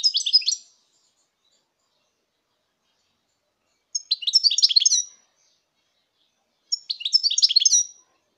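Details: European goldfinch, 2019, delivering three short bursts of fast, bright twittering song a few seconds apart, with silence in between.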